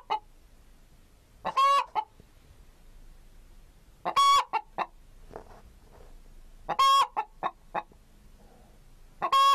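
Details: Chicken (Gallus gallus): four strident squawks spaced roughly two and a half seconds apart. Each is followed by a couple of short clucks, with quiet gaps in between.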